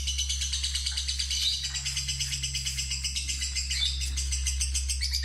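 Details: Lovebird, fighter type, still green, heard during a lure test for long ngekek singing: unbroken fast chattering trill with occasional squeaky accents, high and busy over a strong low electrical drone.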